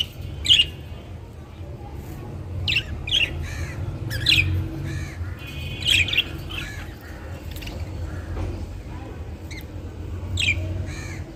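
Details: Colourful captive budgerigars calling with sharp scratchy squawks spaced every second or two, interspersed with softer chattering notes, over a low rumbling background.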